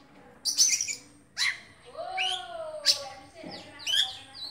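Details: Oriental magpie-robin singing in captivity: a few sharp high notes and a clear, slightly falling whistle, set apart by short pauses, over a faint background hum.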